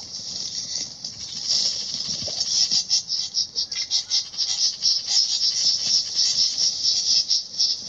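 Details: Great reed warblers mobbing a 3D-printed common cuckoo decoy near their nest, giving alarm calls in nest defense during an experiment: a continuous, harsh, buzzy rasping chatter of high pitch with pulsing intensity throughout.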